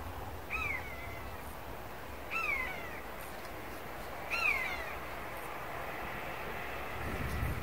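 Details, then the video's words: Common buzzard (Buteo buteo) in flight and calling: three high, mewing, downslurred cries about two seconds apart over a steady low rumble of wind or distant traffic. "Škanjac (Buteo Buteo) - let i glasanje"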